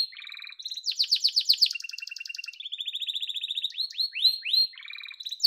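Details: Song of a yellow domestic canary, a fast, varied sequence of loud rattling trills, high piping runs and falling swept notes, each tour of repeated syllables giving way quickly to the next.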